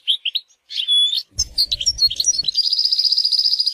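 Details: European goldfinch singing in the wild: quick chirped notes and a clear sustained whistle, then tumbling twitters leading into a long, fast, buzzy trill of evenly repeated high notes.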